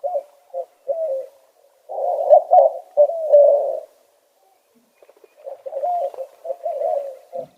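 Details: White-winged Doves at Big Morongo Canyon Preserve, California, calling back and forth to each other with low, hollow coos in phrased bursts, a rhythmic 'who-cooks-for-you' pattern repeated after a pause.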